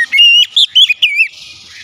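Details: Excited oriental magpie-robin, provoked to sing: loud rising whistles and rapid warbled slurs in one short phrase, fading into a soft hiss.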